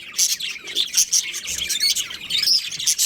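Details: Budgerigars from a breeding pair chattering without pause: rapid, high twittering chirps and warbles, bright and scratchy, in steady overlapping bursts.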